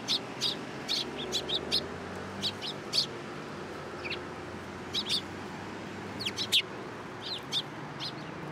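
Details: At a Tenmangu shrine, April 2023, sparrows come onto a hand to be fed, uttering bursts of high chirps with gaps between, against a noticeable low hum.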